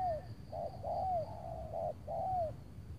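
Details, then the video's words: Spotted dove calling on an overcast late afternoon before rain near Tangerang, during decoy trapping aimed at a large, loud-voiced bird; mellow hooting coos in quick sequence, each note slightly dipping, with low rumbling background noise and a faint steady high hum. "memikat tekukur tapau sibongsor suara besar"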